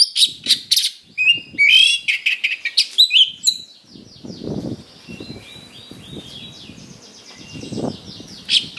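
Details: Oriental magpie-robin (kacer) with a harsh song to provoke fighting: three seconds of loud, rapid chattering notes and whistled slurs, then fading to a faint, thin high warble over dull low thumping and rumbling noises.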